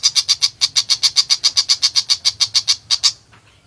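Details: Lively song of a long-tailed shrike (tiger pentet): evenly spaced, piercing high notes repeated quickly, roughly four each second, stopping abruptly near the end with a last louder note.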